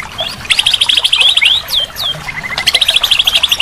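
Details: Training song of a white-rumped shama, played so a silent bird resumes singing: fast high repeated trilled notes in two long runs, separated by a few sweeping whistles, over faint background hiss.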